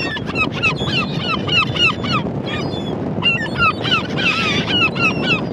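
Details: Gulls repeat quick, laughing yelps at a rapid pace, with several birds overlapping and a longer harsh squeal near the end, against a rushing background.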